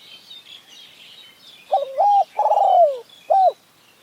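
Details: Spotted Dove, decoy and wild bird calling against each other during decoy trapping in mountain forest: a phrase of low hooting coos, a short note, a long drawn-out falling coo, then a brief final note; faint higher chatter behind.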